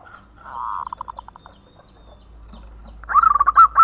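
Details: Actively singing local male zebra dove, natural voice used as a lure: a soft purring coo breaking into spaced soft notes, a pause, then a loud rapid stutter of clipped cooing notes.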